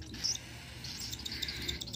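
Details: Cockatiel (Nymphicus hollandicus), begging call: chick begging for food during hand-feeding.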